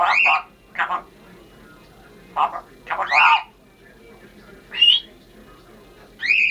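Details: Congo African grey parrot, a female pet, indoors during a New Year greeting, giving short mimicked word bursts and several loud rising whistles spaced a few seconds apart.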